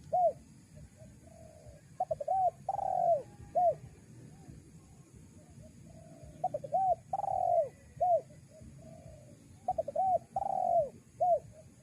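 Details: Spotted dove call used as a lure for wild doves: three repeated cooing phrases about four seconds apart, each of stuttered short notes, a long slurred downward coo and a hooked final note, with low background rumble.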